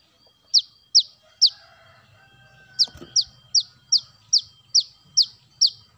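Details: Brown-throated sunbird sound played to lure birds: high, thin descending chips repeated in a quick run, a brief pause with a dull thump, then eight more evenly spaced notes.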